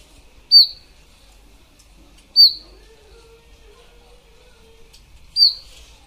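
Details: An Indian robin (Copsychus fulicatus) in Ranthambore National Park, Rajasthan, gives three brief, high, sharp chirp call notes spaced two to three seconds apart, with a faint low drawn-out tone between them.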